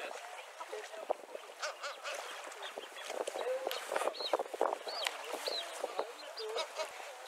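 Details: Kelp geese on a beach on New Island, Falklands, where several pairs were present. Soft, nasal honks and higher whistled notes are scattered through a noisy background, with other waterfowl and possibly voices mixed in.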